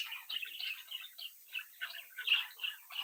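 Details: Captive budgerigar chicks bred at home, chirping and singing together indoors: rapid bursts of warbled, scratchy chirps in quick succession, steady and overlapping throughout.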